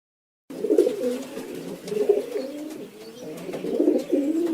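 A pigeon gives low, throaty rolling coos, three soft phrases about a second and a half apart, with a faint hiss behind them.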